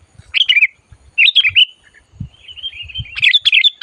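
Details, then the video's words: Sooty-headed bulbul, lured during trapping and calling energetically. Short chattering phrases alternate with a thin, sustained twittering trill. Soft low knocks are heard now and then. "SUARA BURUNG MACIT DISAAt DIBAWA MIkat"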